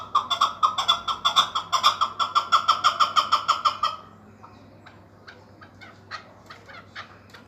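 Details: Chukar partridge offered for sale, giving a loud rhythmic run of harsh clucking chuk notes, about two per second, for four seconds, then stopping. Quieter scattered clicks and a low steady hum follow.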